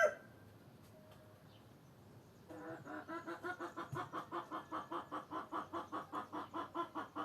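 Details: Near silence with a faint distant note at first, then hens start clucking in a regular run of short pulses, roughly three per second, that continues steadily.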